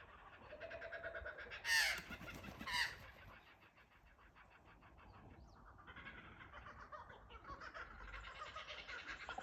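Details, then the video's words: Kookaburra chorus from a verandah at Ballandean: two loud, harsh bursts open the sequence, then overlapping cackling laughter rises again from several birds. "Kookaburra sounds"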